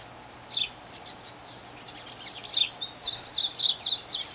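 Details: A Painted Bunting calling for a mate gives a lone high note, then a quick, jumbled run of sweet, high-pitched warbled notes over faint background hiss.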